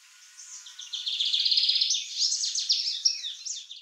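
Lined Seedeater song from a young male: a rapid, high, twittering run of buzzy notes and trills that rises and quickens near the end.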